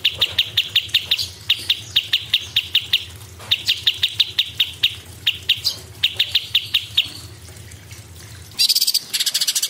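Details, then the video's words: Cucak cungkok singing a rapid, shrill sequence of sharp chirps near one pitch, packed in fast bursts with brief pauses, ending in dense buzzy high trills. "CUCAK CUNGKOK ISTIMEWA GACOR"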